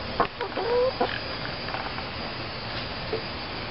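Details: Backyard pet chickens, five hens (three Rhode Island Reds and two Easter Eggers) about twenty weeks old, kept in a small city yard; a short rising tonal note followed by a few brief clucks over quiet background noise.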